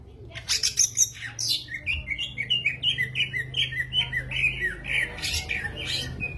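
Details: Greater green leafbird (cucak ijo) in full, vigorous song: a continuous, varied stream of bright whistles and chirps that rise and fall, delivered rapidly for several seconds, with some harsher squeaky notes near the start.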